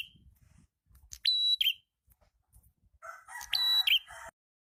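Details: Prinia song used as a lure, the red-headed prenjak: high level whistles with a twisting lower tail. The second phrase overlaps a lower, buzzy, chattering bird call.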